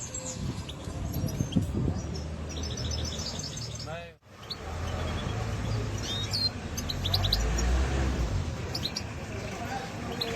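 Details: European goldfinch in Germany, high thin chirps and twittered notes scattered over steady low background rumble, with a brief dropout near the middle.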